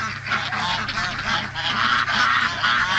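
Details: Flock of heritage breed farm ducks at a preservation farm: loud, rasping quacks pile on one another in a nonstop babble, several birds calling at once, with a constant low hum beneath.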